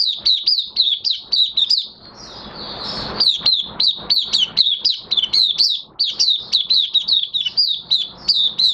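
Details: Oriental white-eye in minor moult singing openly in a cage, 3 June 2022: long, rapid series of high, sweet twittering notes, briefly interrupted near the start by a burst of hiss.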